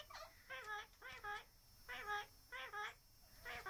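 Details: Hand-reared pet Australian king parrot chatting: rhythmic, nasal harmonic calls repeated about every half second, each a short rising-falling phrase, in a quiet room.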